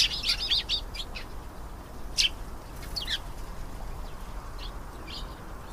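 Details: Canary opening with a quick burst of high twittering notes, then scattered single chirps that fade and thin out, with faint background hiss.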